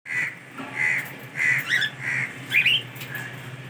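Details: Cockatiels eating watermelon give short, harsh squawking calls, repeated roughly every half second.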